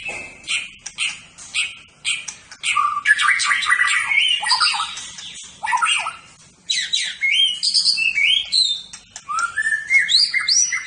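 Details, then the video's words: Champion competition white-rumped shama pouring out a dense, varied burst of song: fast jumbled whistles, chatters and harsh notes tumbling over one another without pause, with rising whistled phrases near the end. "MURAI BATU JUARA. Kumpulan Tembakan Murai Batu juara"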